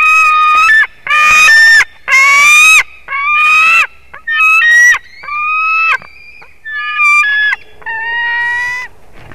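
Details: Nestling white-tailed eagle, fourth day in the nest at Durbe, 13 August, live nest camera: a series of loud, buzzy-harmonic whining calls, several longer ones held steady and then falling, with short quieter notes between.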